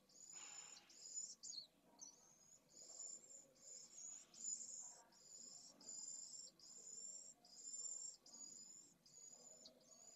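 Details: Begging pallid swift chicks at their nest, Jerez de la Frontera, 8 September 2022, live nest camera: continuous very high, hissing trills cut into bursts roughly every second, with lower scraping and rustling of the birds moving.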